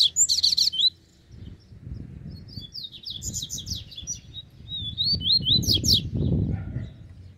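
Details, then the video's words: Free-living double-collared seedeater drawn to a caged bird: loud sharp chirps open, followed after a gap by scattered high slurred phrases and quick strokes, with low rustling and handling sounds throughout. "COLEIRO SOLTO VEM PRA CIMA"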